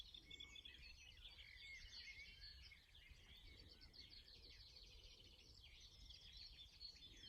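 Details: Linnets twitter in a continuous rapid jumble of bright, high chirps and trills beside a lake in spring, while herons nest nearby and a railway line runs close by. A soft low rumble of wind lies underneath.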